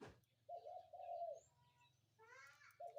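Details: In the morning a spotted dove gives two smooth coos and begins another, while a second bird calls with rapid chirping notes over a low continuous hum.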